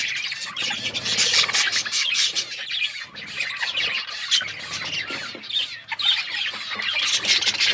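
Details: Australian parrots, budgerigars, eating corn; loud, dense squawky chirping and chatter from many birds, continuous throughout.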